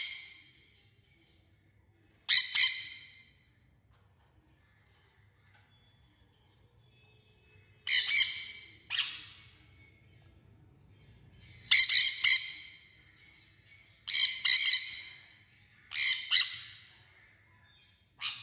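A sun conure gives loud, harsh screeches in short bursts, with pauses of a few seconds between.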